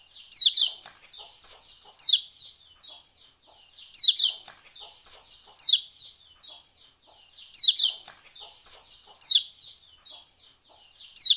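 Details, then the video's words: Yellow white-eye (Lombok kecial kuning) ciak-ciak calls used to prompt birds to sing: sharp, high chattering notes in bursts about every two seconds, each trailing into softer twittering. "CIAK TIKI-TAKA BIKIN KECIAL KUNING GACOR"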